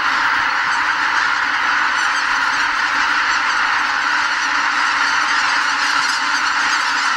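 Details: Tens of thousands of greater white-fronted geese, pausing on spring migration north at Lake Miyajimanuma, Hokkaido, take off from the roost before sunrise; a thick, continuous babble of cackling honks with no pauses.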